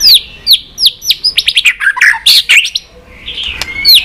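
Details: White-rumped shama singing in many voices, used to train and excite shamas: high downslurred whistles, then a quick chattering series of notes, ending with a long rising whistle.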